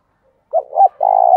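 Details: Decoy spotted dove giving its coo to provoke rival doves: a short husky note, a rising second note, then a long even purring coo that runs to the end of the clip.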